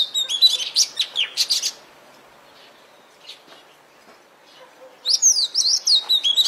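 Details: Bird chirping in two lively bursts of very high, fast, zigzagging notes, separated by a few seconds of near quiet with only faint scattered ticks.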